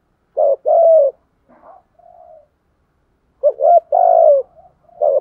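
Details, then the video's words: Spotted dove decoy bird in the 'bài lối' cooing style gives two phrases of low, hollow coos: a short note then a longer drawn-out one, separated by faint soft murmurs and a quiet pause. "Thúc gù bài lối | Cu gáy mồi bài bản"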